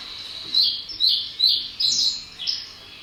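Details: Common reed bunting's summer song on farmland near a reserve: five short, high chirpy notes at about half-second intervals, a plain, slightly halting phrase with little variation; black-headed gulls in the background.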